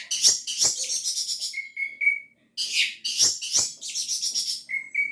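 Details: Orange-headed thrush singing vigorously, intended to stimulate reluctant birds to sing: dense bursts of harsh, chattering notes, each followed by a clear, level whistle, the pattern repeating twice.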